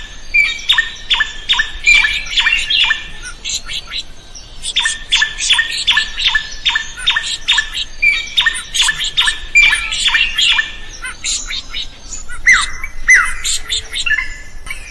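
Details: Drongo in full song, the recording meant for training other birds: long bouts of rapid, evenly spaced buzzy stacked notes, harsh squawks and occasional sharp whistles, with short pauses between bouts.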